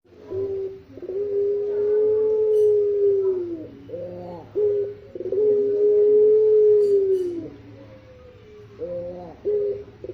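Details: Eurasian collared dove, known locally as pelung puter, cooing: long steady low hoots, each held about two and a half seconds, separated by short broken notes, repeated twice across the stretch.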